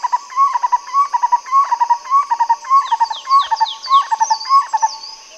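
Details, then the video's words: Black-collared Barbet in Kruger National Park giving a mellow, hooting phrase of quick notes, repeated about twice a second; a steady high insect drone and thin descending whistles from another bird run underneath. "Black-collared Barbet Bird Call"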